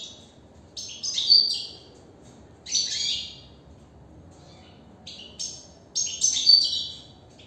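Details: Captive goldfinch warbling inside a cage: four short bursts of high, jingling, slightly buzzy twitter phrases spaced one to two seconds apart, some with a clear ringing note, against faint low background noise.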